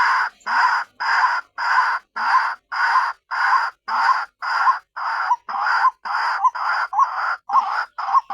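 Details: White-breasted waterhen used as a lure for others of its kind: harsh, croaking notes repeated evenly, almost twice a second, over a steady high-pitched ringing background.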